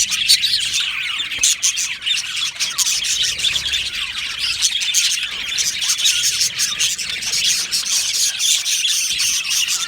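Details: Aviary flock of Australian budgies singing and chirping: a steady, busy mass of shrill twittering and sharp clicks from many birds, unbroken and evenly loud throughout.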